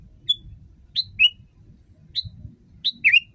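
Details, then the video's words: Tutor recording of a sooty-headed bulbul for prompting other bulbuls to sing: scattered short whistles, some single, some in quick falling pairs, ending with a tumbling double phrase, above a faint low hum. "Masteran kutilang!!!kutilang paling dicari untuk membuat burung kutilang anda langsung ikut berbunyi"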